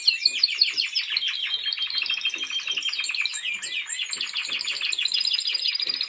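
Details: Timbrado Español canary in training, a caged song bird, delivering a dense continuous song of rapid rolling trills and metallic clicking notes, shifting between phrases, with a brief higher whistled run at the start.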